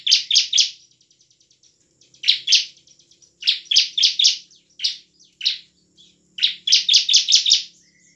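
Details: Bar-winged prinia in vigorous ngebren and nembak song, used to coax silent birds into singing and fighting. Rapid runs of four to five high piercing chips alternate with soft trilling and brief pauses.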